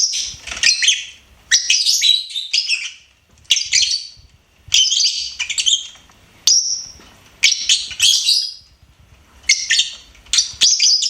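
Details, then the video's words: Pet lovebird chirping and singing, about nine bursts of harsh, squeaky twittering over eleven seconds, each burst around a second long and separated by short silences. "LOVEBIRD SINGING & CHIRPING SOUNDS"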